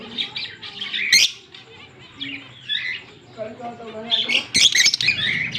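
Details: Green Fischer's lovebird pair, October 16, 2023, making scratchy high chatter and shrill squawks, with a louder screeching burst near the end.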